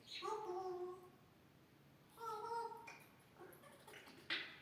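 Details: Grey parrot talking like a human: two drawn-out, voice-like vocal phrases with stacked tones, a quieter murmured stretch, then a short sharp noisy burst at the end, indoors.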